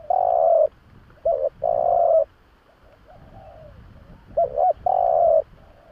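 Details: Spotted dove coo, a lure recording for attracting doves: long buzzy steady coos alternating with pairs of short arched notes in a repeating pattern, with quieter murmured coos in the gaps.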